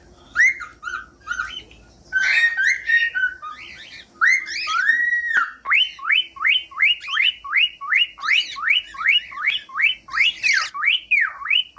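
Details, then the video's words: Cockatiel whistled song for teaching pet birds to sing: mixed rough chatter and whistles, then a steady series of about fifteen similar rising-and-falling whistle notes repeated roughly twice per second. "15 MINUTOS DE CANTOS DE CALOPSITA"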